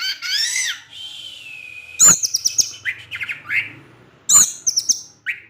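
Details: Evening song of an orange-headed thrush, provoking rival thrushes; a long descending whistle followed by loud sharp clicks and high mimicked chirps, the sequence repeating after about two seconds.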